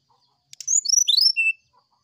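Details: Brown-chested jungle flycatcher in flute-like sulingan song at morning: a single quick phrase of bright, high whistled slurs tumbling downward into a held lower whistle, preceded by a brief dry click, otherwise silent.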